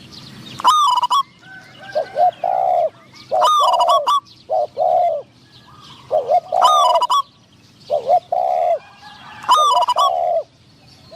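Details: Spotted dove kept as a decoy for luring wild doves. Four regular phrases of hollow cooing, roughly every three seconds, each opening with a sharp stuttered note and ending in two or three fuller, drawn-out coos.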